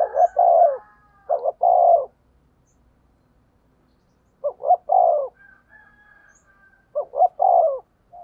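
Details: Spotted dove, 'thổ' voice, cooing in the 'thúc gù' style used to train decoys and stir them up: three low phrases, each a quick double note then a drawn-out falling coo, separated by silent gaps of several seconds.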